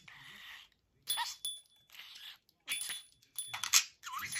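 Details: Male pet budgerigar chattering to its bell: quiet, scratchy, broadband bursts of warbling chatter in short runs of about half a second, mixed with thin, steady ringing tones from the bell, indoors.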